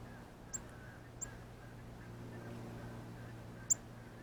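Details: A male northern cardinal eating seeds off a ripe banana at a backyard feeder gives its feeding chirp, three sharp, high metallic chips spaced irregularly over four seconds, over a low steady hum.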